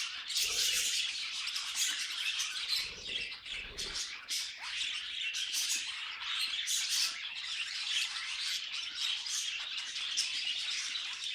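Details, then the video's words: Pet budgerigars singing together: a dense, continuous chatter of scratchy warbles and sharp high chirps that runs the whole time with no pauses, plus a few low thumps near the start. "Budgies Singing"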